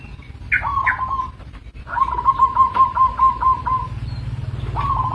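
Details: Local zebra dove call: short higher introductory notes lead into quick trilled coos, then a longer evenly pulsed trill of about two seconds, another phrase starting at the end, over a low hum.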